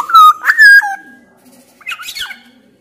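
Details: Loud black-naped oriole from Sumbawa, used to prompt reluctant orioles to sing, gives two rich liquid whistles, the second rising then dropping, followed after a short gap by a burst of scratchy, wheezy notes.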